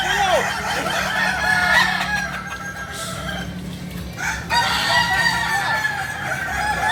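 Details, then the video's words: Crowing Kukuak Balenggek chickens, a breed native to Solok in West Sumatra: a sharp rising note at the start, then overlapping stretched crows, with a fresh loud burst midway and a constant hum beneath. "Ayam kukuak balenggek ayam asli solok sumbar"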